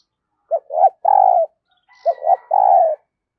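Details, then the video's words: Decoy spotted dove cooing to attract new wild birds, two quick three-note phrases, each a short tap, a rising note and a long level hoot, with a faint whistle between. "Tiếng Chim Cu Mồi THÚC và GÁY GỌI Bổi Mới, Mở Là Gáy"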